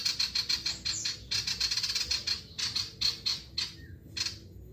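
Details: Male ashy tailorbird singing energetically, a song meant to draw out song from other birds: long, fast runs of high, buzzy chips, thinning to spaced single notes with one soft lower whistle near the end.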